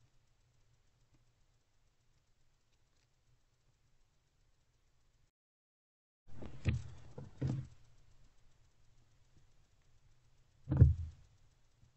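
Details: A faint low hum broken by a few dull knocks and scuffling thumps, with no animal calls.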